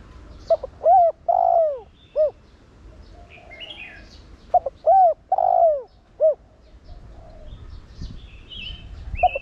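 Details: Spotted dove with a 'Thổ Đồng' voice, cooing to stimulate other doves to coo: two phrases of low, hollow coos, a short note then a long drawn coo and a clipped ending, about four seconds apart, with faint chirps of other birds behind.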